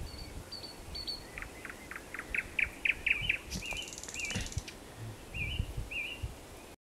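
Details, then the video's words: Thrush nightingale singing on 17 May 2022, recorded alongside a river warbler; a run of sharp rapid clicking notes builds into loud repeated tonal strokes, followed by short slurred whistles spaced about half a second apart, with wind rumble. "Śpiew słowika szarego"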